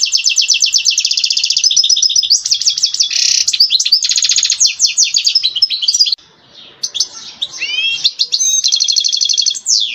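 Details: Mating song of a European goldfinch, aimed at stimulating a female ready to breed: long fast runs of high tinkling and buzzing notes, a brief quiet gap, then rising whistled slurs and renewed twittering.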